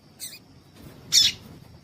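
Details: Female Double-collared seedeater call that stirs males into song: a softer chip, then a louder, harsher chip about a second later, over low background rumble.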